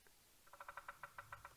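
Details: At sunrise on 9 September 2017 at Djuma Game Reserve, a distant Bearded Woodpecker, identified by the size of its drumming, drums on a dead tree: about nine hollow, resonant taps over one second, slowing slightly at the end.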